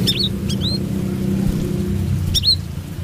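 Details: Brown-throated sunbird in lively 'trotol' singing: a few sharp, high, upswept chirps near the start and again after two seconds, over a steady low engine-like rumble.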